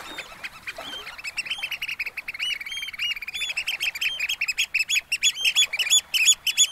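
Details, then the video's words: Spring evening on a sandy Norfolk beach at Snettisham, where several Eurasian oystercatchers build from quiet to loud, insistent shrill piping, rapid clipped squeaks overlapping, beside gently lapping, nearly still water. "Gentle Waves and Oystercatchers at Snettisham Beach, Norfolk"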